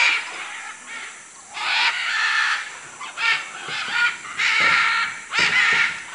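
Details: Harsh squawking macaws in Manu, Peru, with louder grating bursts building in the second half and a few low thumps underneath.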